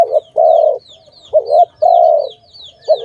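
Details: Dove near a trap site: repeated coo phrases, a brief wavering note leading into a long flat hum, roughly two a second apart, backed by faint high descending chirps of other birds.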